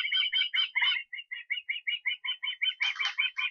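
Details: Osprey in Estonia on 23 August giving a fast series of sharp, whistled notes, about three per second, steady in pitch, with slightly harsher, broader notes near the end; no other sounds.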